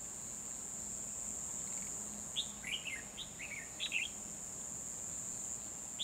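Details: Decoy red-whiskered bulbul singing to lure wild rivals during a trapping session on 12 December 2020: one quick run of rich, chirpy, up-and-down notes in mid-clip, with a constant shrill insect hum behind.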